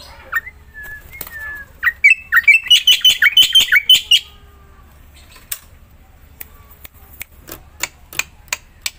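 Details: Singing black-winged myna, used as a lure to set other mynas singing: short whistles lead into about two seconds of quick harsh chattering notes, then scattered dry clicks and taps.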